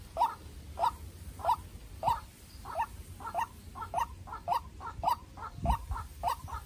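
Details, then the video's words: Young farm-raised decoy White-breasted waterhen facing a wild bird in a fierce duel: about twelve harsh mid-pitched croaks, roughly two per second, each with a short trailing echo note, over a low rumbling background. "Quốc Mồi Tơ Ra Trận Gặp Bổi Rừng Đấu Cực Căng"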